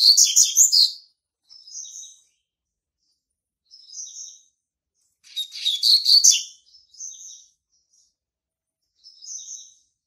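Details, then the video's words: Young captive male Double-collared Seedeater, hatched March 2019 in Brazil, marking its territory: a loud harsh buzzy burst opens, then short high whistled notes spaced a couple of seconds apart, and a second dense buzzy burst midway. "COLEIRO PARDO QUERENDO JÁ MARCAR SEU TERRITÓRIO"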